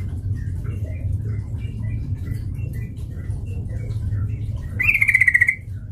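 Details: Sooty-headed bulbul played as a fighting lure. Faint scattered chirps lead into a single loud, buzzy, rapidly pulsed chatter of about half a second near the end, with steady low background noise.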